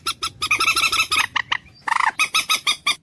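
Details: Common moorhen, locally dungkor pakhi, giving fast, harsh clucking notes in a dense string, then a brief hoarse squawk followed by evenly spaced clucks.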